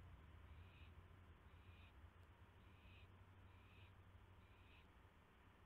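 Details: At night on May 9, 2016, an owl receives a mouse. About five breathy, noisy hisses sound at roughly one-second intervals, fairly quiet against a steady low background hum.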